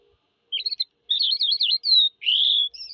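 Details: A Eurasian skylark gives a twittering, warbled phrase, a clear whistled slide and a buzzy trill, all high-pitched and run closely together.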